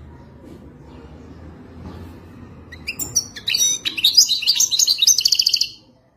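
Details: European goldfinch singing the authentic Wadani style. Scattered clicks lead into an accelerating run of bright, twittering notes ending in a dense, rattling trill, then silence.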